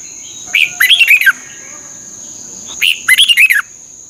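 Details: Red-whiskered bulbul (Pycnonotus jocosus), a caged bird in Thailand, gives two bright, bubbly song phrases about two seconds apart, each a quick run of four or five warbled, whistled notes, over a steady high thin whine.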